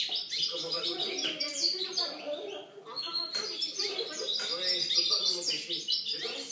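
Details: European goldfinch singing, 2013 recording: a dense, continuous twitter of high chirps and buzzy trills, pouring out almost without pause, over faint lower tonal sounds.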